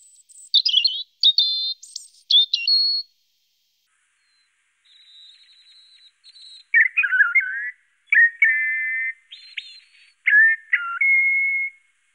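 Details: European robin singing a strophe described as a song in "F major", made of nine motifs: high thin notes, warbled trills and clear whistles, brief rapid chirps, then a pause and a lower series of buzzy, twittering phrases ending in a steady whistle.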